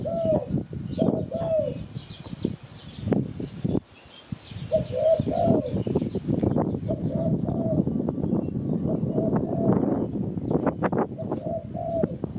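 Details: Spotted dove coos, a sound used to lure birds for catching in Malaysia. Low hooting notes come in short groups, masked by heavy low knocking and rustling noise, with faint high chirps of other birds.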